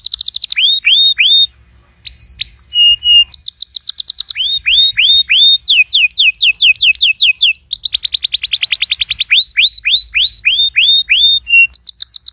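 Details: Singing canary, played so a silent canary will resume song: alternating tours of rising whistled slurs, dense rapid trills and short sharp notes, varied and continuous with one brief pause.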